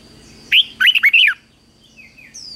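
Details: Single lively phrase of Red-whiskered bulbul competitive song used for morning training: a rising whistle, then a rapid run of warbled up-and-down notes, followed by faint softer whistles.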